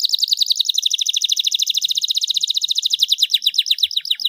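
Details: Starblue panda canary, said to be a champion, in full song: a long rapid trill of high repeated notes, fast and steady, shifting toward slower falling slurs near the end.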